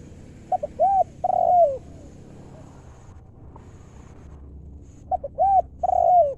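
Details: A spotted dove of wild decoy stock sings in the 'lew' 'mor lam' style, with short low notes followed by two long bowed coos; the phrase comes twice, about five seconds apart, with quiet hum between.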